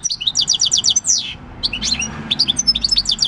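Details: European goldfinch, six-year-old wild-caught bird, singing field song on 26 December 2019: a rapid series of repeated sharp chirps, a slurred buzzy phrase, then scattered high twittering.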